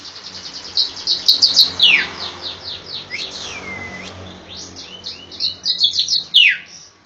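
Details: Striated grassbird of the Java and Bali palustris race, masteran tutor song: quick rhythmic high chips, downslurred whistles and a long swooping whistle, ending in dense chattering notes and another falling slur.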